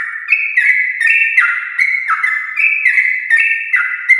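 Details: Continuous morning ropel song by a sooty-headed bulbul, used to encourage other bulbuls to join in, made of bright, evenly paced whistled notes alternating between higher and lower steps.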